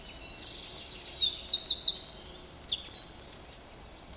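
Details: Eurasian wren, also called northern wren, singing a rapid, loud high-pitched song of sharp notes and fast rattling trills, several trilled phrases run together over about three seconds with no other sounds.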